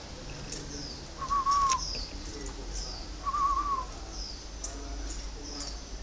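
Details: Captive spotted dove from a bird garden in Ba Vì, Hanoi, northern Vietnam, singing in the 'giọng thổ' style: two wavering, whistled coo phrases about two seconds apart, with faint room noise and light clicks between.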